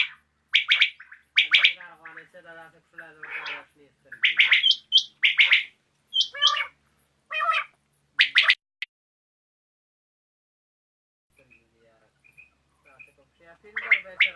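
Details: Common quail (batair) calling in the evening: rapid bursts of sharp clipped notes for several seconds, then near silence with faint distant notes before calling resumes.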